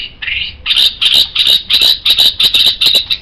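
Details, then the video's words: White-rumped shama song meant as a master tutor for songbirds: a rapid run of harsh, scratchy notes repeated about three times a second, bright and high, after a brief softer phrase. "MURAI BATU Ini Sangat Cocok Dijadikan Masteran Burung Kicau"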